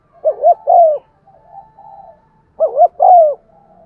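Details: Lure spotted dove with 'giọng son' voice cooing to provoke other doves: two low phrases, each a stuttering double coo and a long falling coo, with faint murmuring hums between.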